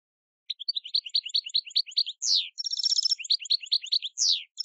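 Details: Field-style goldfinch song used to educate novice decoy finches: fast tinkling twitter, a sharp downslurred note, a buzzy trill, more twittering and another falling slur.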